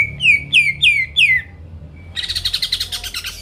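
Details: Greater green leafbird singing to stir rivals into song: four loud descending whistled sweeps about every third of a second, a short pause, then a fast chattering rattle.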